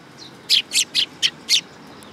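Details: Sparrows coming to be fed at a Tenmangu shrine in Japan on 19 August 2022: a faint thin note, then five short, bright chirps spaced about a quarter second apart within one second, over a quiet background.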